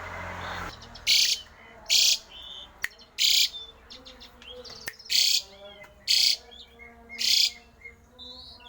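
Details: Javan pied starling with a rare, strange song said to get other starlings singing; seven loud hissing, raspy bursts follow each other about once a second, interspersed with sharp clicks and faint whistles.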